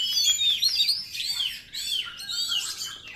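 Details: Oriental magpie-robin lure song: brief, rapid, high warbled phrases of twisting whistles and chatter, with a short pause midway.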